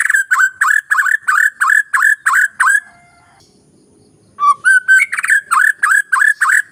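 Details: White-rumped shama lure song meant to make a young, reluctant bird start singing: loud, rapid whistled notes repeated about three times a second, a silent pause of over a second, then rising whistles before the quick repeated phrase resumes.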